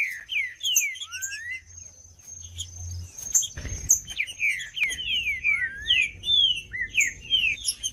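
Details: Green-winged saltator song for stimulating other saltators to sing: a rich series of slurred whistled notes, many falling, some rising, delivered in quick phrases about a second apart, with a continuous thin high tone and low background hum.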